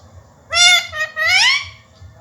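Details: A pet parrot calling its owner, said to call him "papa": a rich, voice-like two-part call, a short steady note then a longer rising and falling one, lasting about a second and a half in a quiet room.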